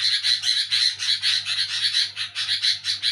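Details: Short stretch of a sooty-headed bulbul's noisy night-time nyerecet call, an unbroken series of quick raspy buzzing pulses over a low background hum.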